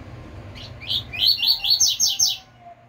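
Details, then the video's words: A pure tui-tui type double-collared seedeater sings a quick run of about eight high, bright chirps over two seconds, some sliding down, with a faint low hum beneath; the song is meant for training other seedeaters. "Coleiro TUI TUI FIBRA canto bitola puro"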